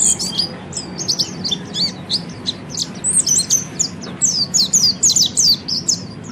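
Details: Oriental white-eye ngeriwik song meant to get other birds chattering: fast, high, thin chirps in quick repeated clusters, louder and busier in the second half.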